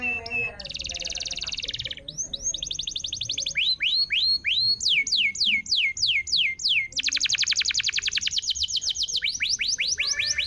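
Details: Canary singing as a lure track to prompt a quiet canary to sing again: dense high buzzy trills alternating with runs of sharp downward-sweeping whistles, repeated rapidly, ending in a long rattling trill and more sweeps.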